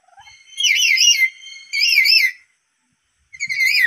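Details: Black-capped lory, apparently a kept bird, agitated by a lure call. Three loud, shrill, warbling calls, each rich in harmonics and wavering up and down, about half a second to a second long, with brief pauses between them.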